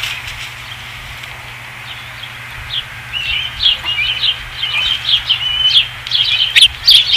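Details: Osprey at the Dunrovin Ranch nest on 5 August 2016. After three quiet seconds, soft rapid chirps build into a busy, jittery chatter of short high notes that grows louder toward the end.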